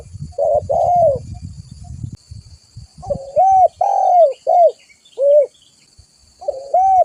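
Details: Spotted dove (tekukur) in full voice, used as a trapping lure and tutor call: after two seconds of low rumbling noise, loud mellow coos arrive as a run of arched, rounded notes with short pauses between them.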